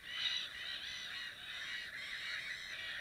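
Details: Nesting black-headed gulls, 2 May 2015, giving a continuous wall of grating, overlapping cries from numerous birds, with one louder sharp note near the start.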